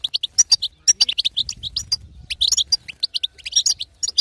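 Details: European goldfinch female calling to provoke a male to sing; spaced bright chirps and trills, about two notes a second, irregular rhythm.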